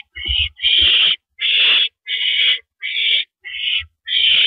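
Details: Owl on a porch perch, live camera, 8:17 PM on April 9, 2012: seven harsh, hoarse hissing bursts at an uneven pace, a few low thumps at the start and near the end.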